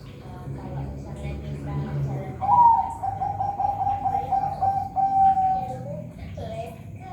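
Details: Captive zebra dove at a Semarang bird farm in Indonesia: a long, clear cooing trill held at a steady pitch for several seconds, a brief upward start, over a man talking in the background.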